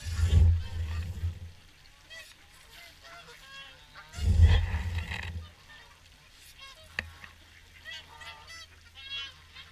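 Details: Evening feed at WWT Caerlaverock: a swan flock honks and trumpets in an overlapping chorus. Two strong low-pitched rumbles, one at the start and one midway, interrupt the calling.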